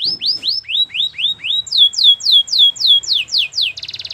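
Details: Belgian canary song of quick rising whistled sweeps, then a brighter series of falling slurred notes, ending in a fast buzzy rattle, all high-pitched and loud against a quiet background.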